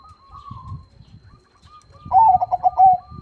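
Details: Soft drawn-out cooing from a zebra dove, then a louder rolling burst of four or five quick throaty coo notes at the end, with low thumping background noise.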